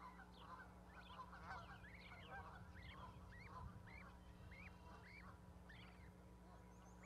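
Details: Baby goslings on a nest platform with their mother at Charlo, Montana, May 12, 2020, giving a steady string of high, arched, downward-curling peeps roughly twice a second over a low hum.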